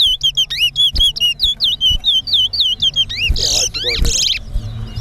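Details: Chestnut-bellied seed finch (towa towa) singing in a bird whistling competition at Linden, Guyana: rapid clear whistled notes, each slurred up and down, repeated about three per second, ending in harsher buzzy bursts, with low crowd murmur.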